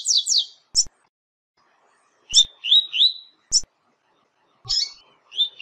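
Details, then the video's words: Double-collared seedeater training song of the tui tui zel zel style, used to teach young and adult birds: high, thin buzzy notes and short slurred phrases in separate bursts with silent gaps and occasional clicks. "Treinando Tui Tui Zel Zel para encarte de FILHOTES e ADULTOS"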